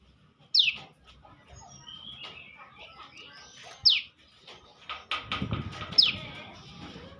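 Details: Champion bar-winged prinia singing, giving three bright, sharp notes that sweep steeply downward, spaced about two to three seconds apart, over low background rumble and scattered clicks.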